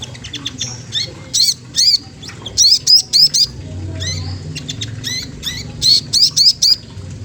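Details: Song of a magpie-robin meant to provoke a rival bird: clusters of loud, high, sharp notes in three or four bursts, separated by quieter pauses over a low rumble.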